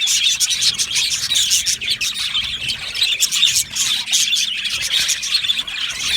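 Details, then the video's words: Many yellow male budgerigars in an aviary colony twittering together: rapid, high, scratchy chirps and warbled squeaks running continuously, with brief dips in loudness. "Beautiful Yellow Male Budgies Birds Chirping sounds"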